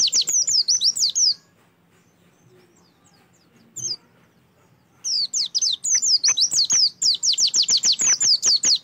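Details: Oriental white-eye song used as a lure to prompt other birds to sing: fast runs of high, sharply down-slurred whistled notes, a pause with one lone note, then a longer rapid rattling series.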